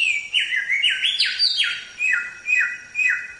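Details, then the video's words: Samyong song used to train songbirds, tembak style: a quick string of rising and stepping whistles, followed by three drooping slurred notes about half a second apart. "Suara Burung Samyong | Gacor"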